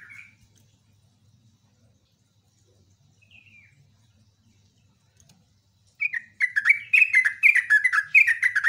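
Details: Sooty-headed bulbul mostly quiet at first with two isolated short whistles, then breaking into a loud, fast stream of chattering, slurred notes for the final seconds.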